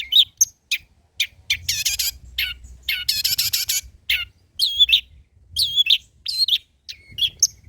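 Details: Long-tailed shrike song with old-style varied material, used to prompt and tutor other birds: bursts of high chirps, rapid buzzy trills and clear whistled notes with short pauses between phrases, against a faint low hum.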